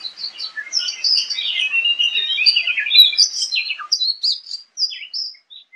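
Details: Oriental magpie-robin in the wild, fighting and displaying while singing loudly, caught on camera: a dense, rapid run of varied high whistles, chirps and trills for about four seconds, then sparser sharp notes with short gaps.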